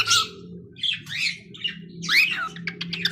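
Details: Young pet cockatiel giving a few scattered chirps and short sliding whistles, fairly soft, over a steady low room hum.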